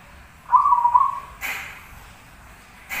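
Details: Zebra dove (perkutut), a keen singer, gives a single low trilled coo lasting under a second. It is followed by two sharp broadband knocks or clatters.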